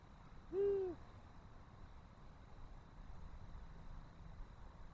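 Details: A single soft, low, slightly arched hoot from a long-eared owl, recorded 18 March 2024; the owls seem to be taking an interest in the nest. Then quiet apart from a low background rumble and a faint steady high hum.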